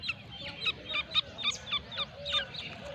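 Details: Grey francolin of the Irani type, Pakistan: quick, scratchy, high-pitched notes repeated several times a second, with short lower whistles between them over constant low background noise.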